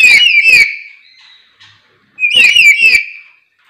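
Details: Lory calling: two loud harsh screeching bursts about two seconds apart, with near silence between them.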